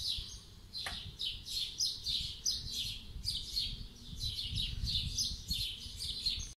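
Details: Spring 2020 morning birdsong: a run of high twittering chirps in quick succession over a continuous low rumble and hiss, with a sharp click near the start.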